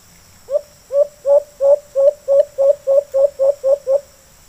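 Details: Wild white-eared brown dove, locally alimokon, calling back strongly at a kept decoy bird: a steady series of twelve short, mellow hooting notes, each slightly rising, about three per second, in quiet surroundings.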